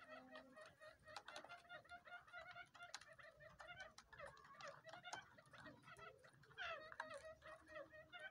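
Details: Quail; lure call; luring other quails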